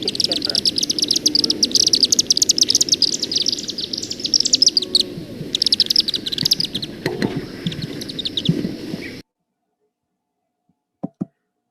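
Chimney Swifts give rapid, high chittering chipper calls mixed with single sharp chip notes for about nine seconds, then silence with two faint clicks.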